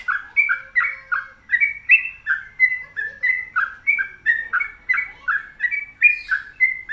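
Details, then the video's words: Sooty-headed bulbul in vigorous song: steady, evenly paced whistled notes, each short and slurred, alternating between two pitch levels, with no other sounds heard. "Pokoknya Cari Trucuk yang Gacor"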